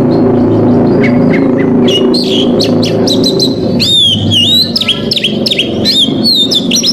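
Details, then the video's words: Oriental magpie-robin singing to provoke rival males. Scattered chirps at first, then loud, clear whistled phrases that dip and rise, repeated in quick runs over a low droning background. "KACER COR DOR BONGKAR ISIAN PAS UNTUK MEMANCING KACER LAWAN"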